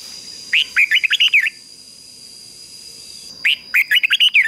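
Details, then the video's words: Red-whiskered bulbul decoy bird singing to call in wild birds: two loud, rapid phrases of slurred whistled notes about a second long, separated by a quiet gap. A faint steady high tone runs through the background. "Chào Mào Mồi Hót Gọi Chim Rừng Kích Chim Hót Hay"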